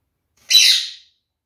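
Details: One caged Gouldian finch of a pair pecking at jute in the nest gives a single loud, harsh, buzzy chirp lasting about half a second, then silence.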